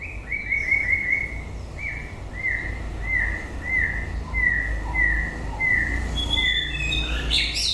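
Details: White-rumped shama song at the end of the breeding season: a long series of mellow, even whistled notes repeated roughly twice a second, with soft lower notes beneath and a brief jumble of higher notes at the end.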